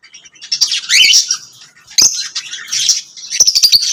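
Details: Pet lovebirds singing and chirping, giving bursts of shrill, buzzy, high squeaky chatter with sharp clicks and chirps, in three loud bouts separated by brief quieter gaps.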